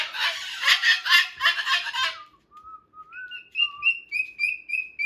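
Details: Pet Moluccan cockatoo chewing and playing with a new box, shifting from quiet singing to full-volume screaming: about two seconds of loud, harsh, rapidly pulsed screeches, then a run of clear whistled notes, some rising, repeated in short steps.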